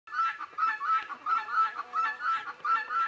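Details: Guineafowl calling in the background of a Leghorn chicken recording: harsh, grating two-part cries repeated steadily, about nine in three seconds, with a faint lower cackling underneath.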